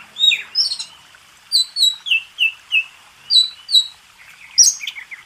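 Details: Oriental magpie-robin master song for training contest birds: clear whistled notes, some sliding down, given in paired and triple phrases with short pauses, ending in a higher sharp note.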